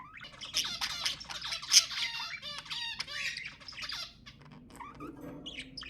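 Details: Budgerigars singing to prompt mating: lively scratchy warble with downward-sliding whistles and buzzy notes, fading to quieter chirps near the end.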